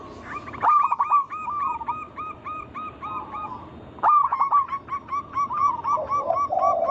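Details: Local zebra doves in a group chorus, used to provoke other doves to sing: two bursts of quick, evenly spaced hooked coos that tumble downward in pitch, each starting with a sharp accented note, and a lower rolling coo at the end.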